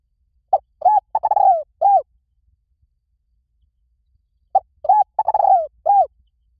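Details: Spotted dove calling for a Thai decoy recording: two identical phrases about four seconds apart, each a short note, soft paired coos, a rattling drawn-out coo that drops in pitch, and one last rounded coo; otherwise quiet.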